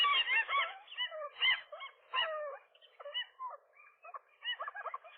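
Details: A nesting gull couple, male and female, confront a lone gull, possibly a female, that tries to get between them one morning: loud, harsh, arched yelping notes pour out in overlapping bursts, with short pauses between the flurries.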